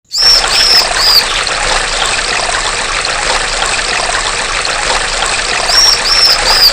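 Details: Bar-winged prinia (Prinia familiaris), a female, gives short, very high, thin whistled notes in a quick run of three, twice, over a steady rush of trickling water.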